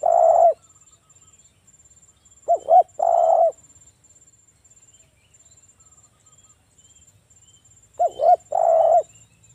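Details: Lure song of a local spotted dove, aimed at making other doves reply. Phrases of two quick coos plus one drawn-out coo repeat about every five seconds, with a steady high insect pulse between them.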